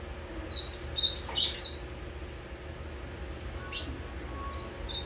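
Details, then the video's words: Pet ultramarine grosbeak, kept five years, singing on 23 December 2020, a day after arriving from three days of bus travel, eating and singing all day: quick sweet warbled burst, then isolated chirps over low hum. "Azulão macaco canta muito"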